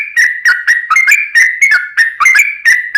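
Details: Yellow-vented bulbul (trucukan) in gacor 'ropel panjang' long-rapid song style, used as a lure to make other bulbuls answer: fast burbling notes around the mid range, repeated about three to four times a second, with no other sounds.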